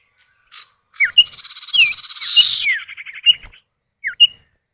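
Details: Male and female common iora answering each other, played as a lure to prompt other birds to sing: brief falling whistles over a dense buzzy rattling trill, then a short whistled note and a final downslur.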